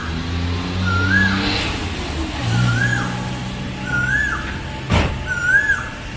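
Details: Asian koel (Eudynamys scolopaceus) on a cloudy summer day, thought to be calling her mate, gives a clear, rising-then-falling whistled note, repeated four times about every second and a half, over heavy traffic rumble and faint higher bird chirps.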